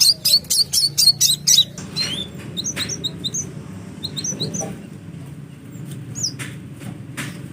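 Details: Sunbird, known locally as kolibri, opening with a fast run of about eight piercing high chips, then scattered softer high notes over a steady low background hum.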